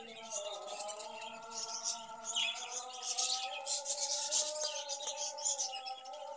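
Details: Caged budgerigars kept for breeding and egg-laying give dense, high, scratchy chirping and twittering in quick bursts, over steady background music with sustained tonal notes.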